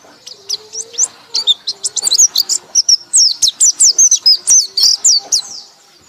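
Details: Pleci, or white-eye, giving loud ngekek song: quick high slurred chirps repeated about four per second, building into an unbroken, urgent chatter. A faint low tone sits beneath.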